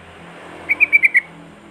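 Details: Sooty-headed bulbul song, played to stir other bulbuls into singing: a quick run of five clear, whistled notes near the same pitch, evenly spaced within half a second, over a faint low background hum.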